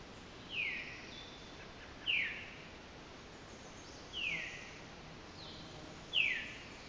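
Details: More than one Veery at Sosebee Cove giving short, downslurred 'veer' calls about every two seconds, with fainter answering calls between them over a soft background hiss; a robin and warblers also heard.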